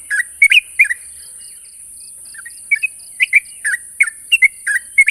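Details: Sooty-headed bulbul calling at a rival: a few bubbly notes, a brief pause with a soft, evenly pulsed background sound, then a renewed series of paired chirps.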